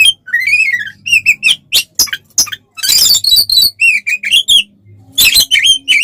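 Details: Varied oriental magpie-robin song, used as a lure to agitate rival birds: long descending whistled slurs, quick chips and harsh rasping bursts in changing phrases, over a faint low hum.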